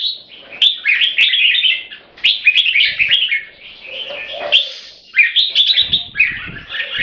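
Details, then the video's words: Keke competition calling from a caged Thai red-whiskered bulbul of champion bloodline: long streams of quick, rasping, chattering notes with short pauses and a few lower mellow tones. "SUPER MARATHON KEKE N BUTIR BERN JAMBUL"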